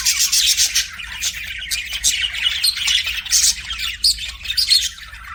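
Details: Pet budgerigar warbling to its mirror image: fast, grating chatter mixed with thin squeaks and clicks, rising and falling in loudness without a break.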